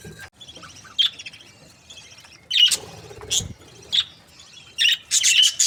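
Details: Happy budgerigar breeding pairs chirping: quick high-pitched chirps and short buzzy notes in scattered bursts, with quieter chattering between them.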